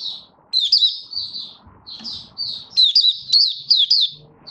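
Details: Caged Malaysian Oriental white-eye singing open 'buka' song, high thin trills and warbled notes strung together, with soft low background noise beneath.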